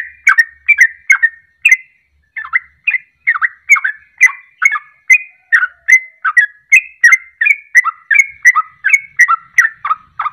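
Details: Fast ropelan song of a sooty-headed bulbul, used as a lure to stir other birds to sing: rolling bubbly whistles, a short pause after the opening notes, then a steady quick series.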